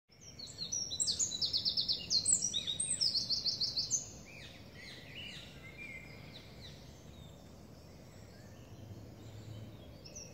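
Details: Eurasian wren in Parc de la Poudrerie, Seine-Saint-Denis, France, on 23 May 2019: a loud, very high, rapid run of trills and sharp twittering notes for about four seconds, then faint distant song over steady background hum.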